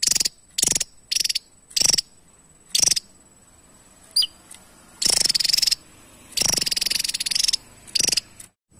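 Javan tesia gives high, rapid buzzy trills in short bursts, some stretched longer, separated by brief pauses; a faint thin whistle sounds once between phrases.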